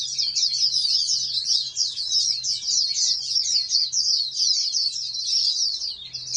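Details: Captive-bred oriental white-eye intended for national song contests, delivering a long continuous shrill twittering song of fast chirps with hardly a pause, over a low hum.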